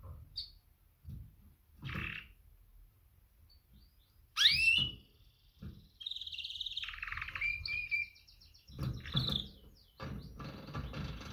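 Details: Female canary giving a mating call to attract males: scattered short chirps, a loud sweeping chirp, then a buzzy trill with drawn-out notes, amid repeated knocks and rustling clicks.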